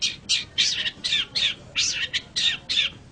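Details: Long-tailed shrike calls used as training material for other birds: harsh, scratchy squawks repeated about three times per second, each a rasping burst, with low background hum.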